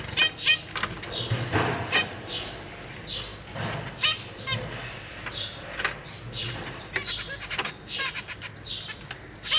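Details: Captive zebra finch juveniles and newly fledged young, practising their wings in a cage, give a steady stream of short, high, scratchy chirps in quick irregular bursts, with wing flutters and a faint low hum.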